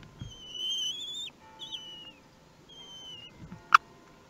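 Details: Common kestrels at their nest in Théding, France, on 4 June 2021, during feeding as prey is delivered: drawn-out thin whistled notes that rise slightly and then fall away, three in a row, followed by a sharp click.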